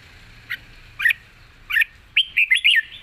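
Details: Thai cage-kept red-whiskered bulbul with an easy, long 'rik' song: single spaced chirps build into a fast, looping series of clear, slurred whistles.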